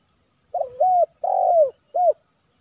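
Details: Spotted dove phrase recorded while trapping with a decoy bird for a kuk 3 male in a village; three clear notes: a bent double note, a long loud falling coo, and a short arched final coo.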